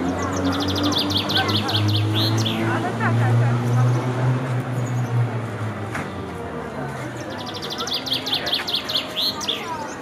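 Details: Common chaffinch singing its last songs of the evening at Polanica Zdrój, Poland: two descending trilled phrases ending in a flourish, separated by a pause, over a steady low hum and background noise.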